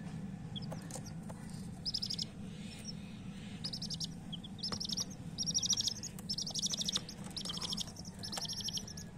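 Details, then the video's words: Chirping from coloured chicks of domestic hens, clusters of rapid high-pitched peeps repeated every second or so, set against a continuous low droning rumble. "chirping sounds of murgi chicks"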